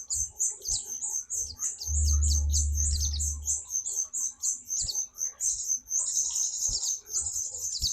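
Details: White-eye (pleci) singing actively: very high, thin, rapid chirps and twitters repeated about twice a second, with a low thumping rumble for about two seconds in the middle.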